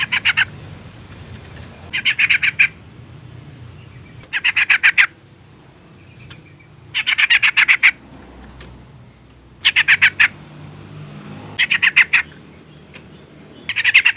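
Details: Calling female yellow-vented bulbul, used to stir a male into singing: six harsh, rapid chattering bursts, each under a second, coming roughly every two seconds against steady low background noise.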